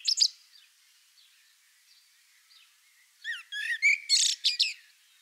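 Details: A common blackbird sings a mellow, fluted phrase lasting about a second and a half, ending in a squeaky, high twitter; a brief high chirp comes earlier.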